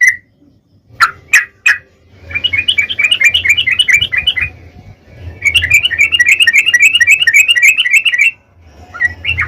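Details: Sooty-headed bulbul in long rapid-fire ropel song, played as a lure for other bulbuls to answer: a few sharp single notes, then two lengthy runs of quick, evenly spaced bubbly whistles, with a steady low hum behind.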